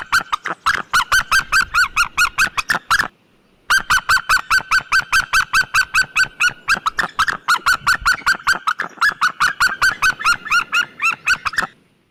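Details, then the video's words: A white-tailed eagle (Eurasian sea eagle) gives long runs of loud, harsh yelping notes, about three or four a second, broken by one brief pause. "Sea white tailed eagle sound effect and call!"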